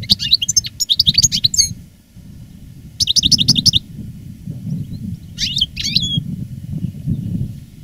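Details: European goldfinch, a veteran caged master singer growing stronger in song after the moult, delivering fast liquid twittering phrases and rapid trills in bursts, with a quieter pause between, over a low background hum.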